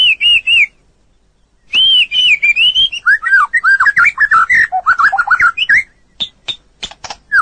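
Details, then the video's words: Training song of a white-rumped shama made for other birds to copy: clear looping whistles, a pause, then a fast tumbling run of warbled notes ending in sharp clicks. "Masteran burung murai batu durasi panjang burung gacor owor owor"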